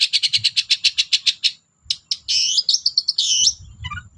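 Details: Long-tailed shrike singing energetically as a lure for reluctant shrikes: a fast series of about ten evenly repeated harsh notes, then a short pause and a warbling, scratchy, rising-and-falling phrase.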